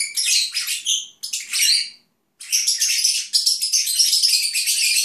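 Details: Agapornis lovebirds kept at home chatter softly while napping: squeaky, buzzy chirps, then a half-second silence, then a continuous rasping, twittering stream.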